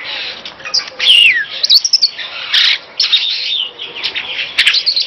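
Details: Superb starling kept as a master bird, pouring out a busy chattering song with a clear whistled note gliding downward, mixed with scratchy, buzzy phrases.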